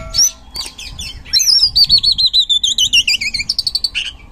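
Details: Oriental magpie-robin singing in gacor ngeplong style, a lure for reluctant magpie-robins: high whistled phrases, then a fast run of looping, wavering notes repeated about three times a second, with a faint low hum beneath.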